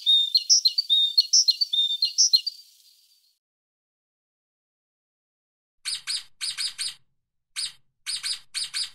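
A tit sings a high, bright phrase repeated three times. After a pause comes a run of sharp, harsher chirps in quick bursts.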